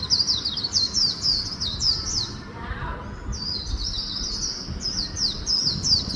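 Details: Swinhoe's white-eye delivering its fast 'líu cựa đuôi' song mixed with magpie-robin phrases: quick, thin, high twittered notes in two bursts separated by a short pause with faint lower sounds.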